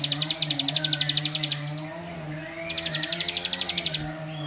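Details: A bar-winged prinia gives a song said to anger other prinias: two short bursts of rapid, high, evenly spaced notes separated by a pause, with steady low tonal humming beneath.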